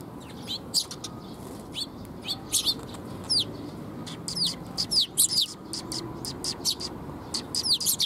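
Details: Several sparrows coming to be fed, 19 June 2021, near a bridge (水上橋): busy overlapping chirps with quick downward-slurred notes, coming in clusters across eight seconds over low background noise.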